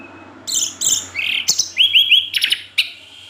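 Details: Caged orange-headed thrush pouring out rapid chattering notes, buzzy trills and clipped chips in quick succession, about three notes per second, over a soft low hum.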